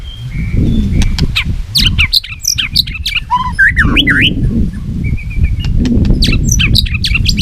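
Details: Competitive song of a white-rumped shama that is flicking its tail, with bursts of varied whistles, chirps and sharp notes over a loud, rumbling low background that nearly masks the thinner phrases.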